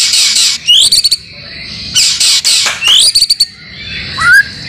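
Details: White-rumped shama (murai batu) song used as a masteran training track for caged birds, with mimicked material from other birds. Loud bursts of harsh buzzy notes and rapid clicks, quick upslurred whistles, then a rising whistle near the end.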